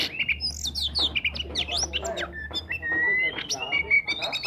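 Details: Oriental magpie-robin singing to encourage silent magpie-robins: quick slurred high whistles and squeaky notes, then a long clear steady whistle and a sustained thin tone, with a low background hum.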